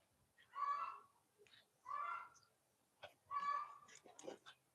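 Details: A neighbour's hen, heard from a tree canopy on a spring morning, calls in three loud, nasal squawks about half a second long and just over a second apart, with softer clucks in between.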